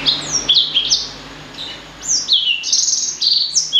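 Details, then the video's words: Crossbred blackthroat and sanger bird called blacksang, singing sweet high whistles that swoop downward, a short quieter gap midway, then a second bright string of descending notes. "Kicau Merdu Blacksang Gacor"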